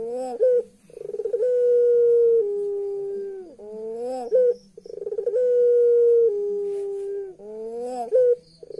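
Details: Puter pelung turtle dove laughing in a creepy way: a stuttering rattle leads into a long level hum that steps lower and then bends up into a short sharp flourish, repeated twice in clean, quiet surroundings.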